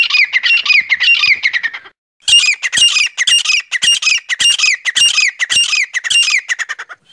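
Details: A quail lure (decoy) call used to attract wild forest quail: harsh, scratchy squawking notes in rapid bursts, roughly two per second, with a brief pause before the calling resumes.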